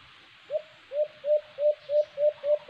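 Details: White-eared brown dove, known locally as alimokon, recorded on a cage-trap outing. Seven soft, hollow coos repeat at an even pace, each swelling slightly before fading.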